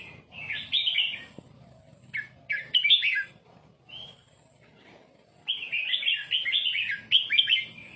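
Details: Red-whiskered bulbul song used to teach young birds to copy it: short bursts of bright, bubbling whistled phrases separated by brief pauses, with a longer, richer warbling run near the end.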